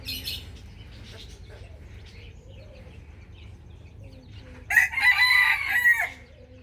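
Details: Morning crow of a rooster: after a quiet stretch of faint bird chirps, one long, loud, strained cock-a-doodle-doo bursts out near the end, rising then breaking off.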